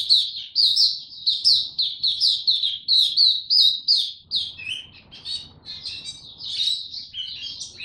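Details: A juvenile white-eye in captivity practising its developing song on 9 February 2022: lively high chirps in a rhythmic series, then looser, more varied twittering with faint low hum behind.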